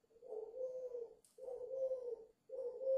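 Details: Lively cooing by a 5-month-old dove: long, steady, low coos following each other almost without pause, the third cut off at the end.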